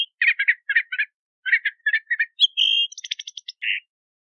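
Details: Crissal thrasher singing a varied phrase of short, chattering chirped notes in clusters, then a brief buzzy trill and a rapid series of sharp repeated notes ending in a low burry note.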